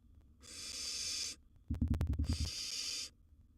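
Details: Young wild barn owl at the nest with massive gerbil prey: two drawn-out breathy hisses framing a burst of rapid knocking and tapping in the middle.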